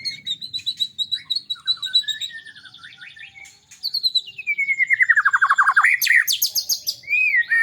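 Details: White-rumped shama, a small bird in lively full song: varied whistled phrases, trills and a long descending buzzy slur, then sharp high notes near the end.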